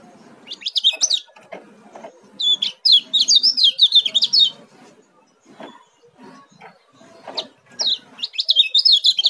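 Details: Oriental white-eye (kecial kuning) from Lombok, a young bird singing in fast 'speed' style: rapid, high, jumbled twittering bursts lasting one to two seconds, separated by pauses filled with soft low knocks and rustling.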